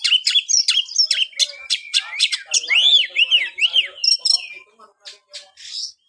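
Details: A white-rumped shama sings loud rapid notes and a sequence of three arching whistles, then trails off into softer scattered phrases.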